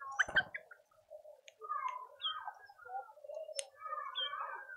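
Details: Speckled mousebirds at a birdfeeder in a suburban garden in Pretoria, South Africa, give soft, low chattering twitters with a few higher chirps, after a sharp knock at the start.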